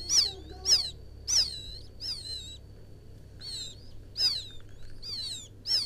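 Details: Field quail chick crying for its mother, a bird-catching lure sound: bursts of piercing downward-sweeping chirps in irregular runs, a pause mid-way, with a faint constant high tone behind.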